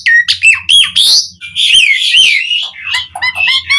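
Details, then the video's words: Asian pied starling song to call other starlings: falling whistled notes, a long harsh rasping phrase, then varied clear whistles, with a faint low hum beneath. "Suara Jalak Suren Gacor Memanggil Burung Jalak Jarang Bunyi Seketika Nyaut Ikut Gacor Full Isian"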